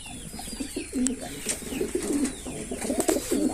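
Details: Male Kaldom pigeon performing, with low, bubbling coos repeated in uneven pulses throughout. Sharp clicks and faint high chirps sound in the background.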